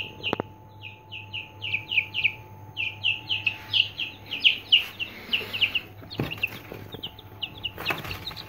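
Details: Peeping of three-day-old Aseel chicks: rapid series of clear high downslurred cheeps, nearly four per second, with a few sharp knocks and rustles near the end and a faint hum underneath.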